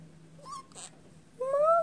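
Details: A pet male budgerigar known for swearing talks: a short voiced syllable, a hissy consonant-like burst, then a longer rising, speech-like phrase in a small scratchy voice.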